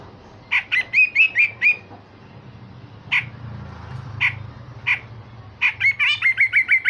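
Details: Grey-cheeked bulbul giving rough 'besetan' and sharp 'tembakan' song: a quick series of whistled, slurred harsh notes, several spaced single calls, then a fast chattering run with a drawn-out whistle.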